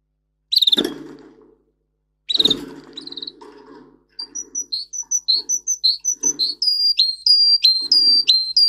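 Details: Russian singer canary, a breed kept for singing, heard in training song: two harsh rasping bursts, then bright chirped notes and a tour of sharp repeated syllables, about two a second.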